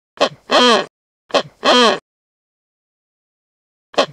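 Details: Wreathed hornbill calling: two quick paired phrases, each a short note leading into a longer hoarse, barking note. A long silence follows before a further short note begins at the end.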